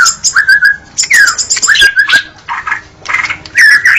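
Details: White-rumped shama delivering a varied song: sharp chips, steady mid-pitched whistles and slurred notes, broken by a few harsher raspy bursts.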